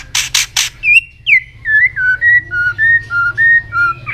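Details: White-rumped shama in peak condition singing a fighting song while flicking its tail; after three rough scraping bursts comes a steady series of about ten clear, short whistled notes, each slightly bent, wavering between higher and lower pitches.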